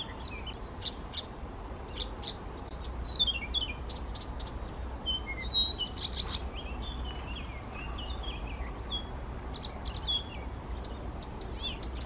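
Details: Blyth's reed warbler male in spontaneous song near Těchařovice, Czech Republic, June 2014, a marsh warbler repeatedly trying to chase it off; busy sequence of varied thin whistles, chirps and clicks, with steady background hiss.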